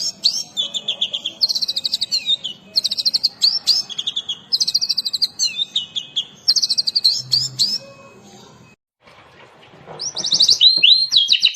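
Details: Oriental magpie-robin song full of varied imitations, used as a lure and tutor for training: repeated bursts of rapid high trills alternating with lower slurred notes, a brief quiet spell, then loud swooping phrases.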